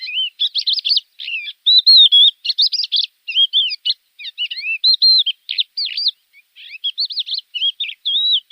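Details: Javan bush lark singing, recorded as a tutor for cage birds: a varied, continuous warble of high, sweeping, slurred whistles and scratchy notes in quick bursts, separated by very short pauses.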